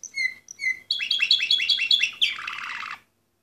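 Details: Orpheus-breed canary singing: two clear whistled notes, then a fast trill of repeated buzzy rising notes running about a second, ending in a harsh rattling burst; quiet indoor background.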